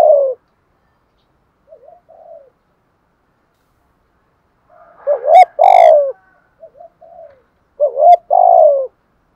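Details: ["Decoy spotted dove coos in the urging 'thúc gù' style: a coo's tail, soft murmured notes, then two loud phrases of a short rising note plus a long falling coo, with quieter notes in between."]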